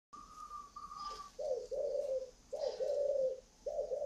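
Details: Spotted dove, described as large-bodied like a pigeon with an unusually warm voice, giving hoarse low coos in drawn-out phrases, preceded by a short higher steady note, with faint background hiss.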